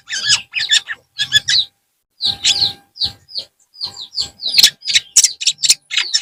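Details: A long-tailed shrike sings in the afternoon, mixing harsh buzzy notes with quick downward whistles and chirps in rapid phrases, with one short pause early on.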